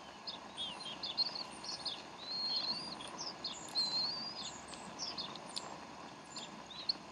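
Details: Bald eagles at the Decorah nest on 12 April 2012, 3:10 pm Central Time, while the mother feeds her young: thin, squeaky high chirps and short whistled slurs scattered throughout, with a steady background hum.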